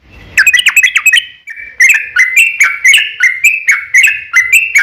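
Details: Trucuk song used as a lure so other trucuk answer: a long, lively run of short whistled notes, rising and falling in quick succession, repeated almost a note every half second without break.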